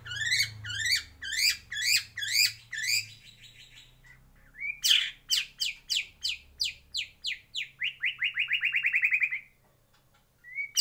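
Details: White-rumped shama in a breeding aviary: repeated rising chirp phrases, then sharp descending notes and a long accelerating trill of identical whistled notes, with a low hum beneath.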